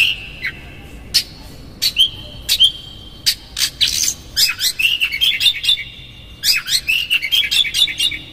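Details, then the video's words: Oriental magpie-robin lure song intended to make a bird flare its tail: a few spaced sharp chips and whistles, then dense runs of rapid twittering high notes toward the end. "PANCINGAN Kacer GACOR seketika Buka Ekor KONSLET bongkar ISIAN KASAR agar KACER emosi"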